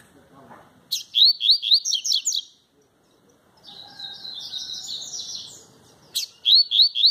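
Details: A male Double-collared seedeater singing without a female present gives fast bursts of high, sharp notes repeated several times a second, with a softer chattering phrase between, and a man speaking briefly.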